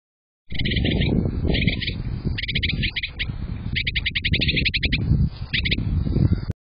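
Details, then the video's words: Brown-headed nuthatch singing at a crow camera: fast bursts of squeaky, chattering notes in several runs of about a second each, over a steady low rumble of wind. "Brown headed nuthatch singing a pretty song"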